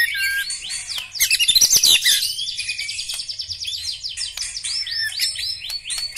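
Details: Song of a black-legged white-rumped shama: fast series of high upslurred notes repeated about three per second, a loud harsh burst, then rapid trills.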